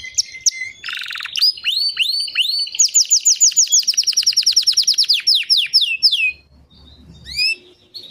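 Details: White canary in song, opening with a few sharp chirps and a harsh buzzy burst, then a long rapid series of rising swept notes repeated about three per second, ending in scattered chirps and quiet pauses.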